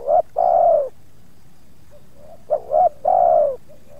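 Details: Spotted dove coos during lure-trapping at Subang as wild doves approach; a short note and long falling coo, then after a pause two brisk notes leading into another sustained, downward-sliding mellow coo.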